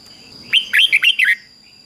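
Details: Red-whiskered bulbul, 'double' song of fig-jig-fok type played for chicks to learn. A short, fluty run of five to six slurred whistles, each dipping and rising, delivered within under a second.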